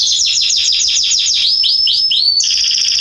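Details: Garden canary song recorded September 2020, a fast series of repeated downward-sweeping whistles, then several rising slurred notes and a steady high buzzing trill.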